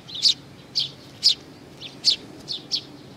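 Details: Sparrows coming to be fed, recorded 15 May 2019: six short, bright chirps spaced about half a second apart, each a quick high burst, over a faint low background hum.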